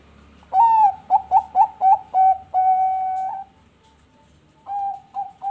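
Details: Perkutut bangkok zebra dove, a captive-bred bird from Bekasi, West Java, Indonesia, singing actively: an opening drawn coo, four quick clipped coos, two long level coos, a pause, then more short coos. Mellow tones, quiet background.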